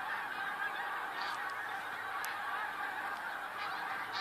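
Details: Huge flock of snow geese, February 28, 2013, producing a constant roar of massed honking, with a couple of brief sharp clicks or knocks standing out.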